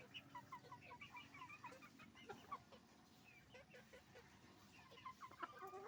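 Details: Roosters and hens at a chicken farm making noise: a dense chorus of overlapping short clucks and squawks, many birds calling at once without a steady rhythm, over a low continuous hum.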